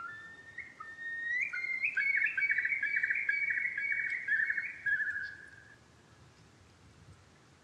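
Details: Eurasian curlew: rising whistled notes build into a dense bubbling trill that climbs, holds for several seconds, then fades out. Low background rumble is heard throughout.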